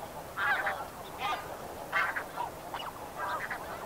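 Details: Snow Geese heard at middle distance: a handful of separate, hoarse honks spaced roughly a second apart over a steady hiss.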